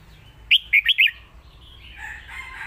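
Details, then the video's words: A caged red-whiskered bulbul delivers one quick phrase of four or five clear whistled notes in the Lak Wai master song style, followed by a rougher, noisier sound in the background. "นกเสียงทอง!!เพลงลากหวาย สุดยอดเพลงแม่บท#นกกรงหัวจุก"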